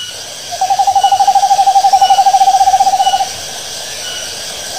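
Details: Owl calling at night: a fast, even trill of rapid pulsed notes at one steady pitch, lasting about two and a half seconds, then stopping, with a faint constant high hiss of insects behind.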